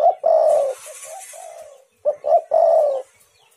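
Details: Spotted dove cooing as a lure to provoke other doves into calling: a long, slightly falling mid-pitched coo, then after a pause two short clipped notes and another drawn-out coo.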